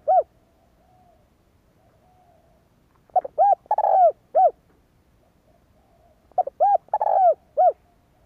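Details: Spotted dove call used to stimulate decoy birds: the tail of one phrase, then two full cooing phrases about three seconds apart, each opening with short notes, swelling into a drawn-out descending coo and ending on a rounded note.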